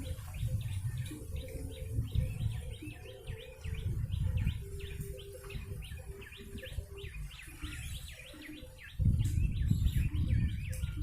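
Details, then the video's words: Used as a bird lure, a yellow-bellied prinia gives rapid high chirps, around four per second, over eleven seconds; a faint hum and low rumbling background run throughout, louder near the end. "Pikat burung prenjak lumut"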